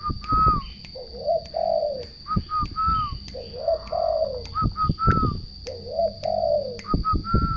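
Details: Turtle doves singing: soft, low coos in drawn-out phrases, mixed with higher clear whistled notes from another bird, sharp clicks and knocks, and a low background rumble.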